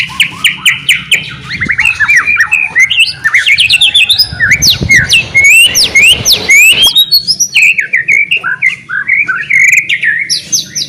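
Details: White-rumped shama in full song, used to prompt other shamas to sing: rapid varied whistles, sharp upslurred notes and chattering phrases, about two per second, with a low rumbling background noise.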